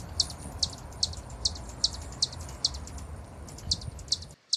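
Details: Hummingbird in Brazil repeating high, clipped chips at a slightly uneven pace, roughly two or three per second, above a steady low background rumble.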